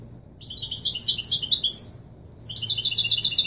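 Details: European goldfinch performing authentic Widani Marrakchi song meant for coaching chicks, two lively phrases of quick, high, liquid twittering split by a brief pause.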